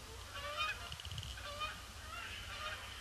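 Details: Canada geese pouring in on a gloomy Boxing Day, circling the pond before they land; clear individual nasal honks stand out, roughly one per second, amid a background chorus and low rumbling wind.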